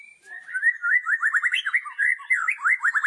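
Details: White-rumped shama giving a loud kretekan song intended to provoke rival shamas: a continuous fast rattle of short, slurred notes at a steady middle pitch, with a few higher chips mixed in.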